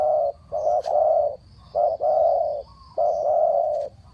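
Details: Spotted dove cooing in the Thai three-kuk trailing style used to call wild doves down: three loud, low, hollow coo phrases, each a short note and then a long drawn coo, spaced about a second apart, with a faint high hum behind.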